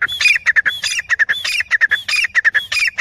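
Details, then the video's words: Female grey francolin, known locally as teetar, calling loudly with harsh squawking notes in a fast, regular series of about 95 per minute, with grating phrases recurring roughly every half second. "teeter boli Grey partridge"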